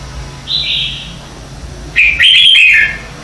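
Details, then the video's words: Red-whiskered bulbul morning song from 2019, used as lure song to train and stimulate caged birds: a soft, high whistled note opens, then after a gap comes a loud, rich warbled phrase. "Luyện Chào Mào hót sáng hay nhất - To - Rõ - Vang"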